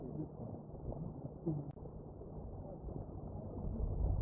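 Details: Low rumbling noise like distant thunder or an engine, with one sharp click and no animal calls.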